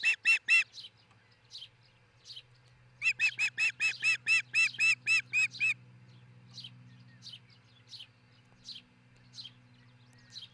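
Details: Osprey pair at their new nest in Charlo, Montana, in June around dawn: rapid series of sharp, whistled chirps, a short burst then a longer run of about a dozen, followed by fainter spaced notes over a low hum.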